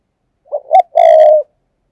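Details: Spotted dove decoy coo in the brisk thúc gù style, used to lure doves: two short soft notes, then one long, steady, hollow coo lasting about half a second, in silence.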